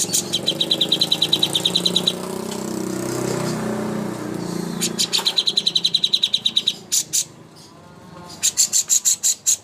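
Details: Greater green leafbird contest master song with long, fast trills of ringing high notes, separated by pauses with low background rumble, ending in a burst of sharp chirps.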